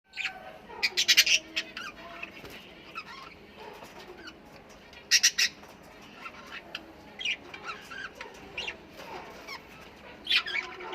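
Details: Australian parrots calling in loud, harsh, scratchy bursts, several close together near the start and more scattered every few seconds, with softer chattering between them.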